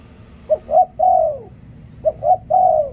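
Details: Spotted dove used as a decoy bird, singing the liu tan style: two three-part coos, a short low note, a quick rising note, then a long falling coo, about 1.5 seconds apart, with a low steady hum beneath.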